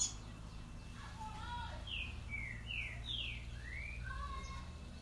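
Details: Trinca-ferro, or green-winged saltator, in boiadeiro-style song: a run of slurred whistled notes, some falling and one rising, with softer lower whistles before and after, over a low background hum.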